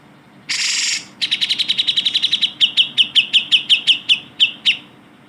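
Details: Tutor recording of a Grey-cheeked bulbul for training shama, magpie-robin and leafbird: a half-second harsh rasp, followed by quick repeated chips that steadily slow into distinct, slightly falling chirps.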